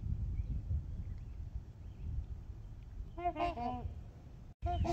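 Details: Trumpeter swans calling on Horseshoe Lake among geese, heard from the beach: a short burst of nasal, horn-like honks near the end, following a stretch of low wind rumble with faint background birdsong.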